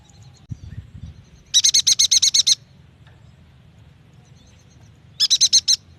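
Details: Yuhina lure song intended to make young or lazy-singing birds start singing: a soft thump, then a rapid chattering run of about ten high notes, and later a shorter burst of four or five.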